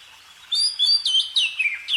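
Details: Short burst of bird song: a few crisp repeated whistles followed by a descending slurred note and a final upswept chirp.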